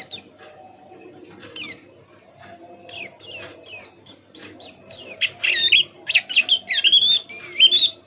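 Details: Tutor white-eye learning to sing, its soft chattering song used to prompt other white-eyes: scattered high descending notes at first, building into a dense run of rapid wavering whistles, over a low background hum.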